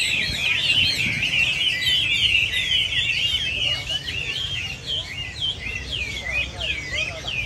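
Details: Chinese hwameis singing as a group. Loud, fluid whistled phrases tumble over each other, with sharp upward-sweeping notes standing out in the later part.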